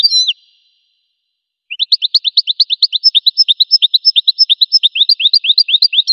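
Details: Goldfinch song opening with a brief twittered note, then after a pause a long, regular trill of bright upswept chirps that grows louder and steadier, nothing else audible.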